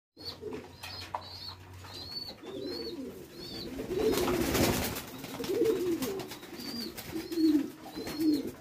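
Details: Fancy pigeons, domestic breeds, at a pigeon farm in Bangladesh: overlapping low, rolling coos from several birds swell and fade throughout, while thin, high, slurred chirps from small birds repeat above them in a room-like space.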